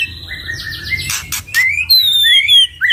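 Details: Two caged white-rumped shamas, used as a lure for training songbirds, give a descending series of whistles, three sharp clicks, then long clear rising and falling whistles.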